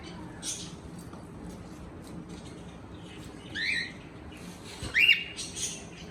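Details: Cockatiel chirping: faint high calls at first, then two clearer rising whistled chirps near the end, over a constant low hum.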